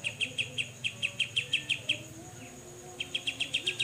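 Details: Grey-cheeked bulbul giving the 'besetan' chattering song style used to tutor songbirds: clipped, bright chip notes repeated roughly five per second, a brief pause, then another run, with a constant high-pitched whine behind.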